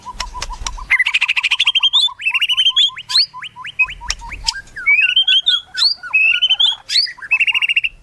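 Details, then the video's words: Melodious White-rumped shama song, rich and varied: low repeated whistles, then fast chattering trills, a series of rising upslurred notes and sweet twittering phrases in steady, energetic sequence. "MURAI MERDU"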